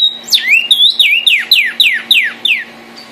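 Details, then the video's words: Red cardinal singing: a series of loud, clear whistles, each sliding steeply downward, repeated about three times a second after an opening upward-then-down slur, over a faint steady low hum. "cardenal guajiro rojo, canto de las aves"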